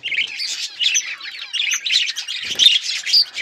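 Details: Hand-tame pet budgerigars chirp in a steady, bubbling stream of high, twittering notes and quick whistled squeaks.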